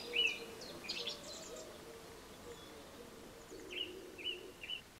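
Eurasian tree sparrow chicks give short, high, scratchy chirps in quick bursts, pausing between feeds, over a low steady background hum.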